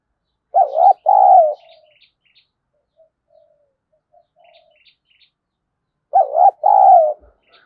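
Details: Spotted dove cooing to stir and lure wild doves: two low husky double-note coos, a short hooked note then a longer wavering one, about five seconds apart, with faint high chirps from other birds between.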